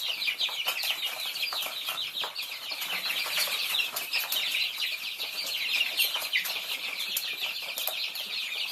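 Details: Feeding Thai chicks peep nonstop as a group, a bright high chattering of countless short cheeps overlapping without pause, with occasional louder single peeps.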